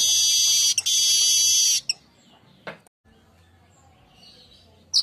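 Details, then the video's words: Weaver song recorded in the daytime as a lure and tutor: a loud, high, sizzling buzz lasting nearly two seconds, followed by near silence and a short sharp note at the end. "GACORRRRRRR siang burung Manyar"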